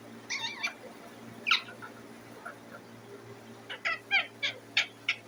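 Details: Pet Indian ringneck parakeet giving loud chirps indoors: a few short harsh notes early, then a quick run of five or six sharp chirps near the end, over a steady low hum.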